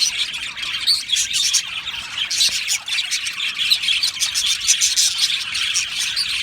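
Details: Budgerigars chirping and singing in an aviary colony: waves of high, chattering warbles and squeaky chirps from many birds, swelling into louder bursts and easing briefly before resuming.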